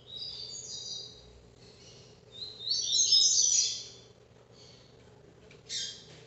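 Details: Captive ultramarine grosbeak singing the style called Paraná vinte vinte, recorded live: high warbled phrases near the top of the range, a brighter burst in the middle and a short final note, over a steady low hum.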